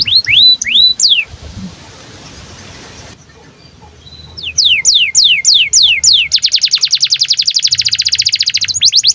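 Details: Canary in breeding condition, sung to provoke and tutor young canaries into singing: quick rising whistled sweeps repeated several times, a short pause filled with faint hiss, then more upslurred notes running into a fast, even, high-pitched trill.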